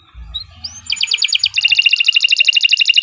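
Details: Canary in full song, recorded as a master for training birds: a few soft rising notes, then a bright rapid trill that speeds into a fast, even, pulsing roll lasting to the end.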